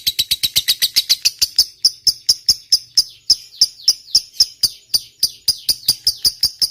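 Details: Fighter lovebird giving long ngekek chattering song, meant to prompt silent lovebirds to sing: a rapid run of sharp, high chirps that starts fast, then slows slightly, about 33 notes in under seven seconds.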